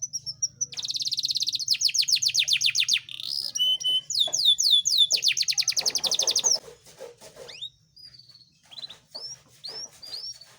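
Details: Male caged Yorkshire canary singing, used as a master recording to stimulate lazy canaries and for mating: long rapid trills of high rising notes, rolling repeated phrases with shifts in tempo, then scattered upswept whistles, faint low hum beneath.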